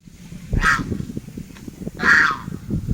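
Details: A group of swans trumpeting: two loud, nasal, honking trumpet notes about a second and a half apart, over a steady low background rumble.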